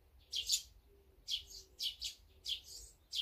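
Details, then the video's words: Small birds at a feeding spot, named as azure-winged magpie, tree sparrow, tit and brown-eared bulbul, give short bright high chirps in quick bursts, several per second with brief gaps; a faint low tone hums beneath. "물까치,참새,박새,직박구리,먹방,새먹방, 새소리"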